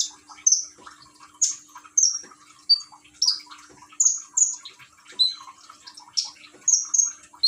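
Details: Common iora kept at home in Gresik, East Java, with trickling water played as therapy to stimulate song, phone recording: a busy series of piercing high chirps and short whistles, some falling, roughly one or two per second.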